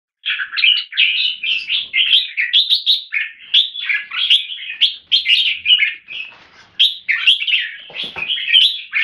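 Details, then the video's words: Caged red-whiskered bulbul (jambul) kept in Singapore, delivering clear 'keke' notes woven into continuous chattering, warbled song phrases, with rapid bursts and brief pauses; a single dull thud near the end. "นกหัวจุก JAMBUL - SOLID CLEAR KEKE & SINGING"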